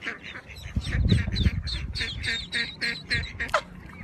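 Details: Ducks quacking in a rapid series of harsh, nasal calls, about three to four per second, with a low rumbling background and one louder call near the end.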